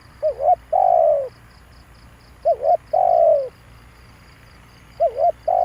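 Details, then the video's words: Lure recording of a spotted dove for stirring decoy birds: two full phrases of two quick rising-falling notes followed by a drawn-out hoarse croon, about two seconds apart, with rhythmic insect pulses throughout. "tiếng chim cu gáy kích bổi hay"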